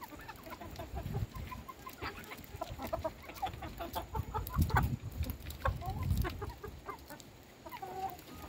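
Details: Chickens at feeding time with their owner: a flock's overlapping short clucks and chatter, with heavy low thumping and handling noise throughout.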